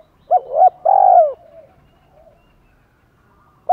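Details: Spotted dove voice played to stimulate wild males to coo back persistently: clipped two-part opening then a drawn-out descending coo, followed by a quiet trailing note and the start of the next phrase.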